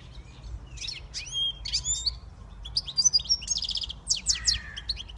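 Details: Siskin x goldfinch hybrid singing a fast twittering song of high chirps, trills and short whistled notes, with a buzzy nasal phrase near the end and a faint low hum underneath.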